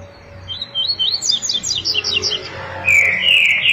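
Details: Captive double-collared seedeater (coleiro) singing a "máquina tui tui zel zel" song: a quick run of high, clipped chirps ending in a rasping, buzzy trill.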